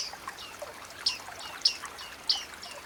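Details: Bearded reedling in a wetland reed bed, calling with three sharp, high, downward-sliding pings spaced roughly every half second over faint background hiss.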